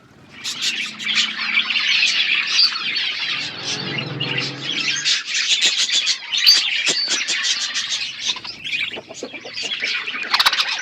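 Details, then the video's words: Budgies chirping as a flock: busy, overlapping high chirps and twittering warble, continuous throughout, with a brief lower murmur in the middle. "Budgies relaxing sounds Birds chirping sounds"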